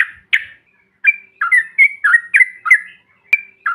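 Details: Yellow-vented bulbul giving 'bahan' or 'ombyokan' calls used as a lure to provoke other birds: short bubbly chirps, some stretched into slurred notes, in an uneven run of about ten, with brief pauses.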